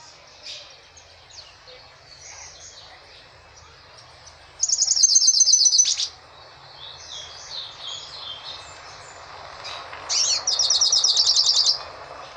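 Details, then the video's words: Song of a caged goldfinch, cage held in hand: quiet high twittering between two loud bursts of rapid, ringing, buzzy trills, each lasting over a second, the second burst ending the phrase. "Pintassilgo cantando , pintassilgo "Tormenta" cantando de gaiola na mão"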